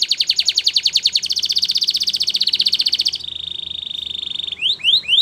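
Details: Belgian canary singing as a training aid for other canaries: a long rapid high trill that smooths into an even buzzing roll, followed by three quick upward-sweeping whistled notes.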